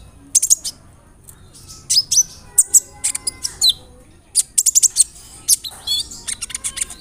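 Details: Brown-throated sunbird (kolibri ninja) singing a roll nembak lure song with cricket, cililin, sparrow and cerr fill-ins; bursts of very high, sharp chirps and short whistled slurs in two dense phrases separated by a brief pause.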